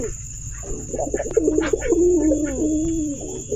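A pigeon gives a low, throaty coo that rolls and wavers for about two seconds, over a steady background hum and a thin high whine.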